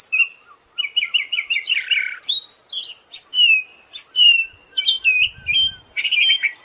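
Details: Siberian thrush song for tutoring songbirds: quick repeated trilled notes, a lower burry slur, then a varied mix of high chips, flat whistles and warbles, with faint low rumbling near the end.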